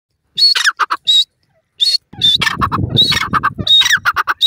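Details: A female Dim Francolin (Dakhni Teetar) calling in the wild gives harsh, squawking notes in quick, uneven bursts of roughly one or two a second, over a low rumble of wind noise.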